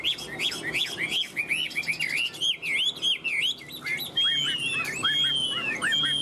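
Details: Chinese hwamei singing in its cage: repeated looping whistles in a rapid rhythmic series, then long pure drawn-out whistles and descending slurs, with faint clicks in the background.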